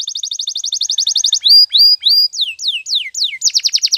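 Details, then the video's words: Morning training song of a canary: a quick, evenly pulsed high trill, then a series of rising whistled slurs, several steeply falling swoops, and a final fast ringing trill. "Your Canary Will Sing Immediately - Canary's Sound Training Every Morning"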